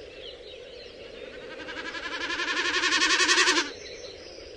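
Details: Common snipe drumming in its display flight over shore meadows in Finland in spring or summer, the sound made by its tail feathers: a hollow, pulsing bleat swelling over about two seconds with rapid wavering throbs, then cutting off abruptly. Faint background birdsong.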